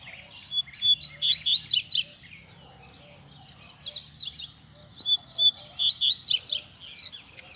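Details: Strong song from a double-collared seedeater free in a town square: two energetic bursts, each about two seconds, packed with shrill rapid chips and twitters, separated by a brief quiet gap, with faint low hum beneath.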